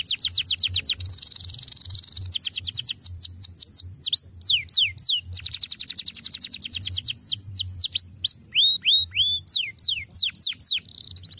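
A canary sings a fast, high, continuous song: a buzzy trill, then runs of quick repeated down-slurred whistles, several notes per second, with a faint low hum underneath.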